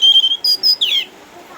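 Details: Caged orange-headed thrush, eight years old, a former contest champion from Sukabumi, Indonesia, now kept at home because of cataracts, still singing actively: loud clear whistles, a buzzy high burst, then a sharp downward slurred note.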